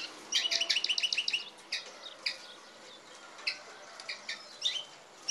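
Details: European goldfinch and canary hybrid singing; a quick run of bright repeated chirps at the start, then scattered sharp twittering notes and short trills with pauses between.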